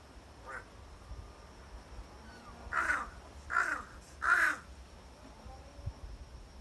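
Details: Crow on Ishigaki Island, Japan, giving three hoarse, nasal 'ahau' calls in quick succession, about 0.7 seconds apart, over a soft steady background hum.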